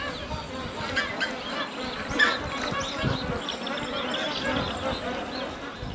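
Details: A large flock of Magpie Geese in Kakadu National Park, Northern Territory, Australia, noisily gathering en masse to feed, honks in a dense, overlapping chorus of nasal calls, with a faint voice and music in the background.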